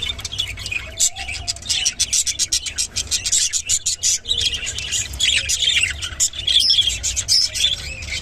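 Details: Rainbow budgerigar warbling busily with quick squeaky chirps and rasping notes, mixed with sharp clicking taps throughout.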